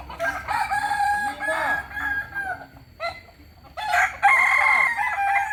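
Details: Crowing by a purebred Kokok Balenggek rooster of Solok, West Sumatra: bursts of quick stepped syllables, a quieter pause near three seconds, then a loud bright resumption.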